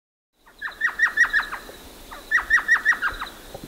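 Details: An Elf Owl of North America gives two quick bursts of high, yelping notes, about six in each run, over music.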